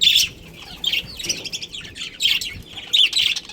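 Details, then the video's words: Budgerigar breeding pair in a pet colony, with short, high chirps and squeaky warbled notes in quick succession. "Cute Budgies Chirping Sounds"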